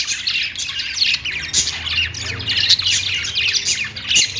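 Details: Budgerigars singing on a perch as pet birds: dense, continuous warbling chatter of chirps, squeaks and trills, high-pitched and busy, with several birds overlapping and no clear pauses.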